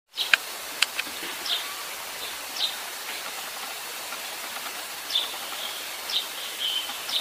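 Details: Eurasian tree sparrow calling while preening on a rooftop: short, high chirps come singly at irregular intervals, about seven in seven seconds, over a steady background hiss, with two sharp clicks near the start.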